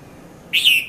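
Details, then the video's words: Red-vented bulbul, locally called Konda Kurulla, calling at 5:30–5:40 a.m. at Mount Lavinia, Sri Lanka, recorded in 2018 on a Nikon Coolpix P510: a single short, bright chirp that falls slightly, over quiet background. "Red-vented Bulbul Bird Voice | Sounds of Bulbul"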